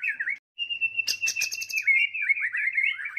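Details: White-rumped shama fighting song, used to provoke and rouse rivals: a long, loud whistled note with warbling rises and falls, broken by a quick burst of sharp, high clicking notes.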